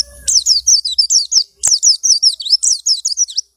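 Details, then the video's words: White-eye taken from a crowded trader's cage and kept two weeks, now in full song: a fast, continuous stream of sharp, high, down-slurred chirps with a brief click partway through. "Pleci Ombyokan 2 Minggu Gacor"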